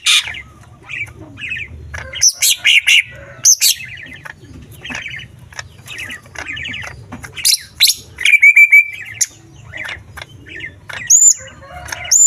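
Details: Green leafbird song rich in small-bird mimicry, used to rouse other leafbirds: busy chattering trills and twitters, a short run of clear whistles mid-way, ending in a high hooked whistle.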